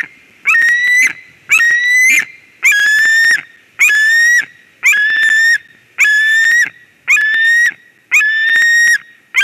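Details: White-tailed eagle calling at its Durbe, Latvia nest on 13 August 2023 as an unfamiliar ringed eagle enters: nine evenly spaced, harsh yelping calls, roughly one per second, with broken, stuttering edges over a quiet background.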